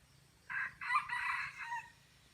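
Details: Red junglefowl from Aceh crowing in a crowing contest with a decoy bird: a short clipped opening note, a pause, then a longer hoarse two-part phrase that trails off into a thinner tail, with quiet background.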